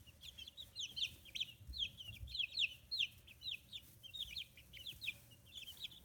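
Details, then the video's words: Fifteen-day-old free-range chicks with new feathers, Kitahiroshima, Japan. A dense chorus of high, sliding chirps from many birds runs continuously, over faint low thumps. "Chicks Chirping Sounds"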